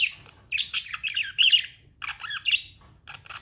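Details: Pet budgerigars chirping indoors: bursts of warbled, buzzy chatter and short squeaky notes in a high register, broken by brief pauses, with a faint low hum underneath.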